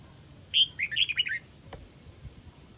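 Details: Single lively phrase from a Huế Red-whiskered bulbul calling the flock: a clear whistled opening note, then a tumbling run of rapid, slurred chirps dropping in pitch, followed by a faint click and quiet background.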